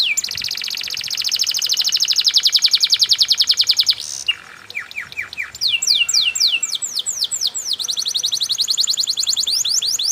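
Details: Canary lure song in the ornate cengkok mewah balacrad style, opening with a dense rolling buzzy trill, a brief pause, then a run of clear descending swept notes repeated rapidly.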